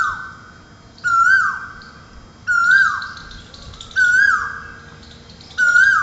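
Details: At a window in Ahmedabad, a cuckoo sings in the early morning as the rains begin after a hot summer: loud, full whistled notes that swell and then drop in pitch, four in six seconds, with high chirps above.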